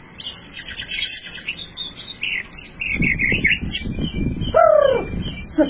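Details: White-rumped shama with a rare, unusual 'blorok' song style, delivering varied whistles and chirps at mid to high pitch, then a loud descending slurred note near the end, with low background rumble.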